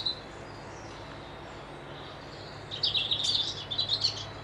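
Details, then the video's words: Wild birds by a loch near Dundee, Scotland. After a quiet start, a run of high, quick chirps rises in a busy cluster, then thins into separate twittering notes toward the end, over soft, steady background hiss. "Birds whistling"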